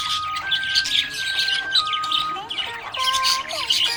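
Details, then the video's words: A happy budgie chirps in busy, gritty warbles and quick high twitters, overlaid by held musical notes that shift up and down in steps across the whole stretch. "Happy budgie chirping sound"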